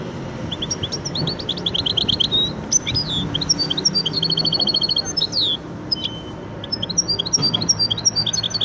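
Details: Goldfinch and canary hybrid delivering rapid chattering phrases, repeated bright chirps about three per second, with a sweeping buzzy note midway and faint low background hum.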